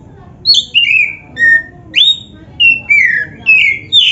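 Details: Black-breasted Oriental magpie-robin song, played to prompt other magpie-robins to sing: a string of about nine clear whistled notes, some long and falling, some quickly rising, spaced roughly half a second apart over a low background hiss.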